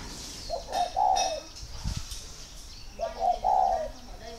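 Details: Captive spotted doves at a breeding garden in Ba Vì, northern Vietnam, showing signs of readiness to pair: two soft, mid-pitched, burry cooing phrases about two and a half seconds apart, with faint rustling and brief knocks between.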